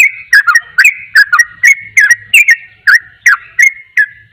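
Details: Ropel song from a sooty-headed bulbul, a rapid song said to provoke other bulbuls; bubbly, downward-flicking whistled notes repeat in quick pairs, with a faint low hum underneath.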